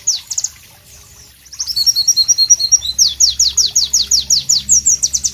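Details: Southeast Asian White-eye, called Pleci, sings in a natural tropical ambience: a few sharp notes, a pause, then a buzzy warble followed by a steady string of high, downslurred whistles.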